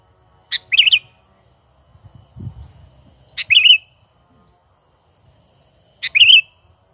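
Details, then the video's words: Sooty-headed bulbul calling naturally, recorded as a trapping lure. Three quick, warbling phrases arrive about every two and a half seconds, each introduced by a crisp high note. A brief low rumble sounds between the first two. "Pikat Burung Kutilang ISTIMEWA Full Gacor,Panggilan Alami Tanpa Isian"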